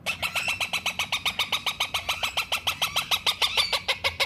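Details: Rose-ringed parakeet chick calling indoors: steady, rapid series of harsh raspy notes, about three and a half per second, continuous throughout.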